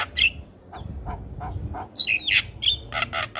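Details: Javan myna song, used for training young mynas to sing: scattered harsh squawks and short clicks, then sharp whistled notes sweeping down, ending in broad rasping bursts, with a faint low hum beneath.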